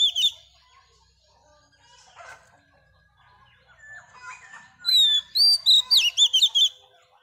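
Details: Female Oriental magpie-robin, wild-caught, singing to stimulate males: a brief loud whistle, then quiet scattered chirps and a soft rustle, ending in a loud string of rapid, bright, rising whistled notes.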